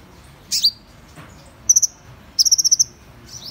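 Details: Van Hasselt's sunbird utters a slurred high chip, then two short clusters of rapid, thin, even ticking notes, the second longer at about six notes, in a quiet setting.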